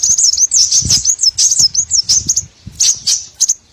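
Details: Small birds giving a lure call for trapping: a quick series of high, bright, down-slurred chirps, almost two per second, then fewer, scattered tweets, with soft low thumps underneath.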